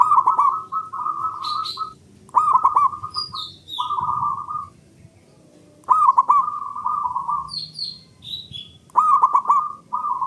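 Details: Local male zebra dove repeating its song as a lure for silent birds: three phrases, each opening with a fast staccato trill of coos and ending in level cooing, while a small bird adds brief high descending chirps between them.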